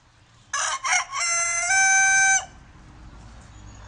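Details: Loud rooster crow lasting about two seconds. Two short choppy opening notes lead into a long, steady, strained final note with bright layered overtones, then faint background noise.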